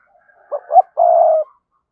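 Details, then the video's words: Calling decoy spotted dove, giọng thổ style: two short hollow notes followed by a long drawn, even coo, all in one brief phrase. "Chim Cu Mồi Gáy Gọi/ cu gay kich boi nhanh noi gù"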